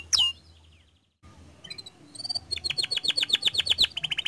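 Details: Gacor canary singing, played as a lure to make other canaries sing; after a brief high note and a pause, rapid rolling trills of repeated rising-falling high notes build steadily, about four per second, with no other sounds.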